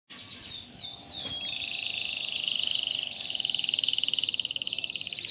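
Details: Starblue canary singing a melodious, crystal-clear song described as non-stop, fed an ordinary herbal mix without special food; a long, steady high rolling trill with sliding whistled notes, growing louder and more pulsed toward the end.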